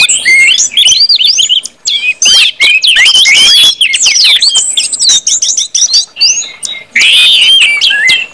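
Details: Orange-headed thrush singing in open ngeplong style, used to stimulate other birds into song: dense, rich warbling mixing rising whistles and harsh chatter, with a few short pauses.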